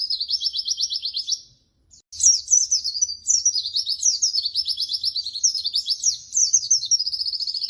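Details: White-eye, locally pleci, singing for use as training material: a continuous stream of very high, fast trills and chattering notes, broken once by a short silence, then resuming with varied twittered phrases.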